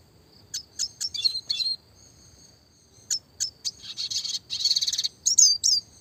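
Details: Classic red siskin song used for songbird training, clear and rapid: short high chirps and buzzy rattling trills in bursts, with a thin sustained whistle between phrases and fast rolled notes near the end.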